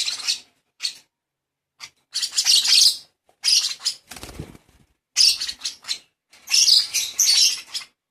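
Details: Hand-fed lovebird chick begging in a long, rough, breathy screeching run of uneven bursts, with a soft rustle or handling noise in the middle.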